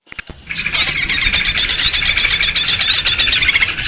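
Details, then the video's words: Sooty-headed bulbul lure recording of noisy, agitated birds, used to attract small birds for trapping: dense buzzy chatter with thin whistled upslurs, starting after brief clicks and running continuously, several voices overlapping. "SUARA PIKAT BURUNG RIBUT || KUTILANG RIBUT || UNTUK PIKAT BURCIL"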